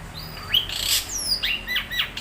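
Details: Young wild long-tailed shrike (cendet) song, used as a lure to get a silent caged bird singing: short slurred whistles sweeping up and down mixed with harsh rasping notes, over a faint low hum.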